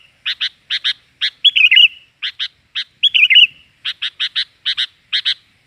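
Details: Sooty-headed bulbul lure call, lively and noisy, for attracting birds: paired short chirps repeated steadily, broken twice by a longer wavering, bubbly phrase.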